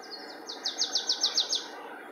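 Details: Marsh tit in song, Linford Lakes Nature Reserve, Milton Keynes, 25 March 2015, one of several song types: two soft introductory notes, then a rapid rattling series of seven sharp, high, falling notes, with quiet ambient hiss.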